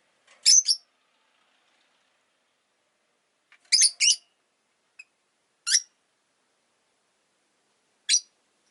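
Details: Sparse sharp chirps from a pet rosy-faced lovebird: a pair, then a quick triple, then two single high notes, separated by long pauses.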